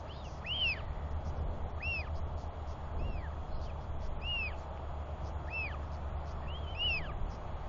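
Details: Royal albatross chick giving repeated whee calls while its father visits to feed it, 9 June 2021; a regular series of arched, rise-and-fall whistles about every second, with softer echoing notes and wind rumble underneath.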